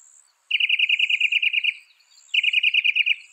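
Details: Northern mockingbird, a mimic said to record 200 sounds, giving a fast trilled rattle of about a dozen pulses lasting one and a half seconds, a short pause, then the same rattle again over a thin high hiss.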